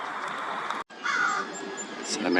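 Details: At Santee Lakes, San Diego County, California, on a fine January 2021 day, an American crow gives harsh, raspy caws in short bursts while a man talks over part of it, naming birds.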